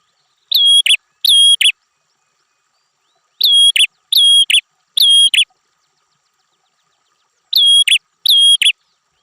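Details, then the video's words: Red-headed prinia, a singing fighter bird in full voice: loud paired notes, each a sharp chip then a long level whistle with a buzzy end, in bursts of two or three separated by pauses of about two seconds; no other sounds. "perenjak kepala merah mastearn burung figter prenjak gacor"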